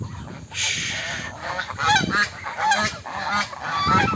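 A flock of swan geese honking, with loud, nasal, overlapping honks coming in bursts about once a second.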